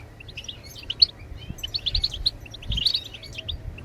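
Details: Goldfinch song played to get other birds singing: scattered high chirps building into denser twittering phrases, a couple of bright accented notes, low rumble in the background.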